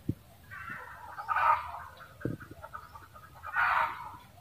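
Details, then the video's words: Red junglefowl cackle in two rasping bursts, near one and a half and near four seconds, with low knocking thuds and soft clucks in between. "เสียงไก่ป่า ร้องกระต๊าก"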